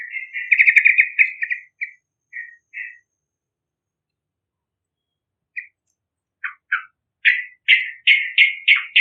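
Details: Yellow-vented bulbul, a young bakalan bird in full vigorous song, its voice used for luring other birds: a burst of bubbly warbled notes, a few short chirps, a pause, then a quickening series of loud rich chortled phrases.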